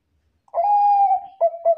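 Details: Bangkok zebra dove, a lively singer used to lure other doves into answering: a clear, long, gently descending coo, then two short, crisp coos.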